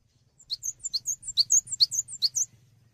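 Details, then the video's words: Cinereous tit song meant as a training recording for songbirds: fast, ringing two-note chirps rolling along steadily for two seconds over a soft low hum. "GELATIK BATU GACOR UNTUK MASTERAN"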